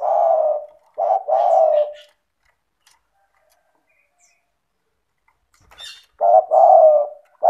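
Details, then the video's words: Spotted dove calling steadily, its recording meant to prompt lazy doves into calling. Two deep, hollow cooing phrases open the stretch, then a long silence, then another pair of rolling coos. "Pancingan bunyi suara burung tekukur gacor cocok untuk terapi tekukur malas bunyi"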